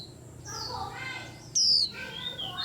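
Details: A loud, high, downward-sliding whistle from a white-eye stands out among a busy wash of softer overlapping chirps and twitters, as a whole rack of birds is roused.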